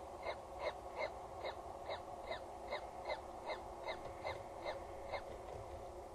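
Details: Peregrine falcon chick in a nest box on the Axel Tower, Netherlands, evening of 14 April 2019: a rapid series of short, harsh, evenly spaced calls, about two and a half per second, over steady low background hum.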